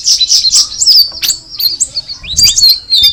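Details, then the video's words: Cucak rawis (straw-headed bulbul) giving scattered bright chirps and a few rising and falling whistled slurs, with a softer passage in between. "the alluring sound of the cucak rawis bird"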